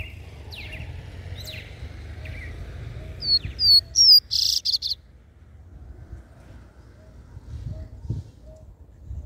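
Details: Double-collared seedeater singing the mateiro song style, played to stimulate males: faint sliding and descending notes, then a loud burst of high, clear whistled notes and a buzzy phrase near the middle, over low background rumble.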